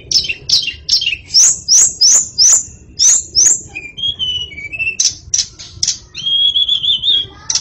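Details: White-rumped shama singing energetically in the gacor style: loud, clear whistled notes repeated in a quick series, followed by varied warbled phrases and a sustained quavering whistle, in a quiet setting.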